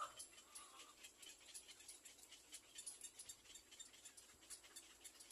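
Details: Little black cormorant chicks waiting for their mother to feed them give soft, hissing, raspy notes, quickly repeated in uneven bursts several times a second.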